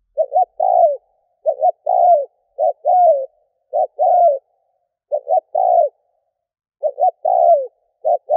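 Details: Cooing of a decoy spotted dove meant to quickly excite wild doves: steady series of soft low phrases, each a quick doubled note and a longer sagging coo, repeated roughly every second with no other sounds.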